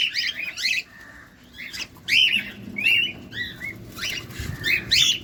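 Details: Close-up cockatiel during feeding, uttering bursts of squeaky, harmonic chirps and short rising-falling notes in irregular clusters separated by brief pauses.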